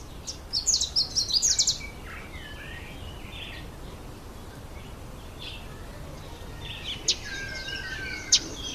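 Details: A red bishop during breeding season, when the black-and-red males hold territories in reedbeds: an opening volley of rapid, high, sizzling chips, then quieter scattered chirps and a few sharp clicks.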